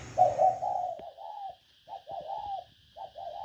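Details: Spotted dove giving a lure call of fairly quiet, quick successive coos with short gaps, soft and hollow, over faint hum and some clicking noises.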